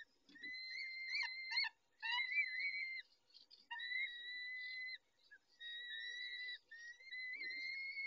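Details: Peregrine falcons at their nest, the male caring for the females, 19:40 on 23-05-21: a run of long wavering whines, some warbling, separated by short pauses, with a few faint low knocks.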